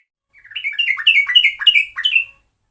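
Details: Sooty-headed bulbul (trucuk), recording used as a lure: a two-second phrase of about seven quick, bubbly whistled notes, each dropping in pitch, delivered in a lively tumbling run with a clean, quiet background.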